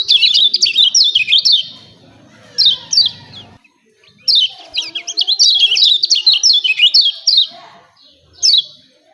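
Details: Lemon-bellied white-eye giving 'ciak ciak' calls, a recording used to provoke birds to sing. Bursts of sharp, high, downslurred chirps in quick runs, separated by pauses, with a faint low rumble in the middle.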